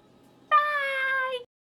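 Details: A pet cockatoo screaming during a Monday morning meltdown, unhappy that the weekend is over: one sustained, even, nasal wail lasting about a second, steady in pitch with rich overtones, in a quiet small room.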